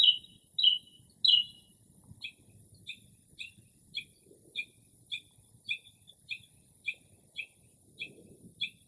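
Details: Northern mockingbird singing around midnight in early spring outside a home, imitating other birds: three loud slurred chirps, then a switch to a long run of softer, paired two-tone notes repeated about twice a second, with faint low background rumble.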